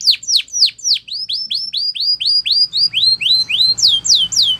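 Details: Belgian canary singing a training song. A run of sweeping, bell-like whistled notes, first falling then rising, repeated about four times per second with a slight variation in pitch across the phrase.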